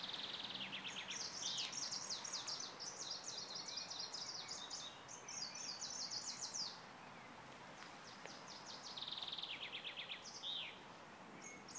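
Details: Song of a greenish warbler recorded at Praha-Hodkovičky, Prague, 10 June 2016: several rapid bursts of high, thin, chipping and slurred notes, each phrase a few seconds long with short pauses, over constant low background noise.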